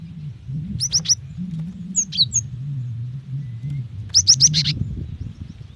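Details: Female Cinereous tit calling the male, played to coax wild birds into singing: quick trios and clusters of sharp high chirps in three bursts over a steady low hum.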